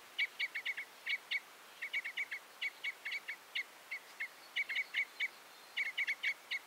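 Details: Common (red) crossbill song: dry, sharp chip notes near mid-high pitch, given in quick clusters of two to five, with short pauses between groups, over faint steady background hiss.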